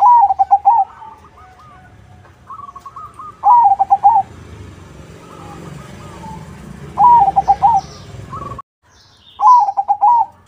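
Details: Zebra dove crossing song played to lure other doves into answering: four loud rolling coo phrases at roughly three-second intervals, quieter cooing and a brief dropout between them.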